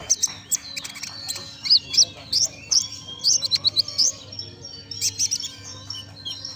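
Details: Singing konin that mimics the golden grasshopper: dense, high, twittering chirps and squeaky trills delivered in quick clusters, with steady background hum.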